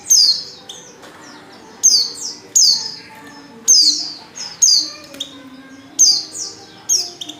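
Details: White-eye female in heat calling for a male: clusters of piercing high notes, each dropping in pitch, repeated in bursts every second or so.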